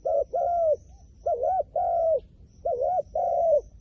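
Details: Low cooing from a wild pigeon: three pairs of notes, a quick two-peaked coo, then a drawn-out smooth one, with short pauses between pairs and little else audible.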